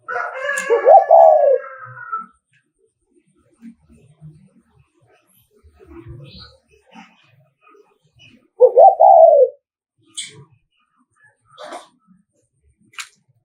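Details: Decoy spotted dove from Nghệ An, Vietnam, giving an agitating coo meant to rile rival males. Two hoarse, hooting coo phrases about eight seconds apart, with a harsher, higher call at the start and scattered clicks.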